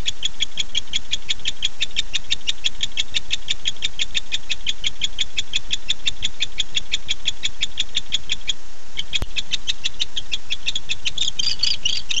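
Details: Barn owl male calling his mate at night, 9:54 pm, 9-8-15; a long even run of rapid clicks, about three per second, briefly pausing before a sharp tap and a rougher, hissing burst at the end.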